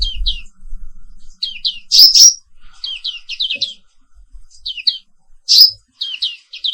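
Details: Morning song of a black-capped white-eye from Indonesia: scattered high downslurred chirps in small groups, broken twice by a louder, harsh, broadband squeal.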